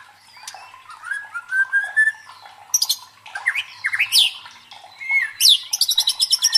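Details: Provoking song of a white-rumped shama for training a competition bird's fighting mentality: soft rising whistles, then harsh explosive bursts and fast repeated chips toward the end.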